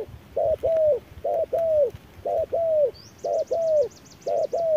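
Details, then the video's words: Dueling with an electronic decoy in fierce midday sun, a wild spotted dove repeats mellow paired coos, a short note then a longer falling one, about once a second. A soft high trill runs through the second half. "MỒI MÁY DẬP ĐẤU BỔI GIỮA TRƯA NẮNG GẮT BỔI HÁ CẢ MỎ"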